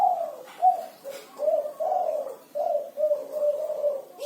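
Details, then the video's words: Spotted dove with a six-note cooing song, a run of soft, low, hollow coos, some slightly rising, delivered in a steady rhythm of about two per second, in a quiet setting. "Suara Burung Derkuku Kuku 6 || Tekukur Kuku 6 Gacor"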